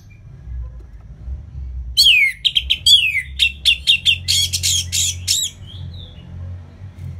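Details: Orange-headed thrush singing in the ngeplong style, recorded in northern Bali near Singaraja as tutor material for reluctant birds: a loud burst of varied descending whistles and sharp chattering notes tumbling together for about three seconds, fading into a quiet note.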